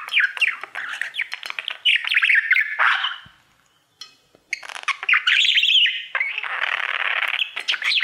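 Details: Pet male budgerigar singing to his mirror: a long chattering warble of squeaky, buzzy and whistled notes, broken by a brief pause near the middle, then a dense scratchy stretch.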